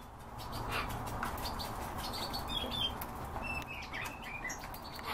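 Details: European bee-eaters giving several short, rolling, high-pitched calls scattered across a few seconds, some overlapping, over steady low background hum and frequent clicking noises.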